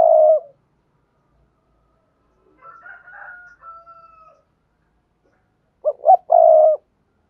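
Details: Spotted dove coo in the thúc gù style for training newly caught doves. A coo tail opens, a higher wavering whistle runs through the middle, and a full phrase of two short hoots and a long mellow coo closes.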